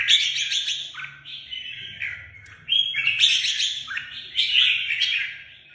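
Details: Red-whiskered bulbul, a kept songbird in Vietnam, sings in three bright bursts of chattering, liquid notes and falling whistles, with a soft low background rumble.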